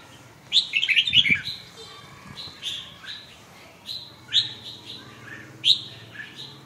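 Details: Red-whiskered bulbul song: a fast, jumbled warbling phrase opens, followed by a series of shorter, clear, liquid whistled phrases spaced about a second apart.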